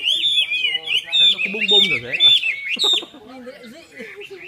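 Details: Red-whiskered bulbul singing at a Long Bien bird club gathering on 27 April 2014, fast looping whistled phrases, with human voices murmuring underneath midway and a quieter warble trailing off at the end.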